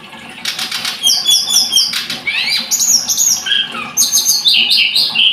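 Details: Blood-breasted flowerpecker twittering busily, with high ticking chips, short rising and falling slurs and brief wing flutters between phrases.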